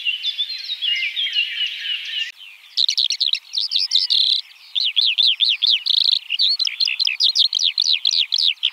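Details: Eurasian Skylark song: a continuous high, rapid stream of chirruping and warbled notes, with short repeated buzzy trills and quick rising-falling phrases pouring on without pause, no other sounds heard.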